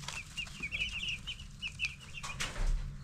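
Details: Ten-day-old broiler chicks in a group giving rapid high cheeps in quick clusters, several birds overlapping, over a steady low rumbling background.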